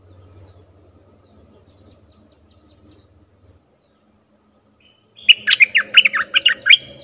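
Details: Bulbul lure call for wild birds. After several seconds of faint distant chirps and low rumble, a sudden bright burst of about eight quick, warbling notes ends the recording.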